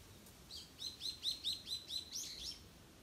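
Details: Japanese bush warbler calling unseen from cover: a quick run of about seven short, high, sharply slurred notes repeated in a steady burst over two seconds, then a final slightly higher note, against quiet background hiss.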